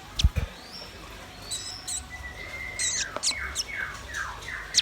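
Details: Red-billed nuthatch and white-rumped shama singing: low knocks at the start, then long downward-gliding whistles and a run of falling slurred notes, mixed with high sharp chips.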